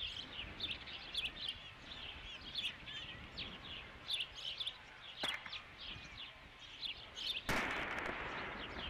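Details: Osprey calling at the Dunrovin Ranch nest on 3 July 2016 as a fifth fish is brought in. Rapid high, slurred whistles run almost continuously. A loud click comes near five seconds and a burst of rushing noise near the end.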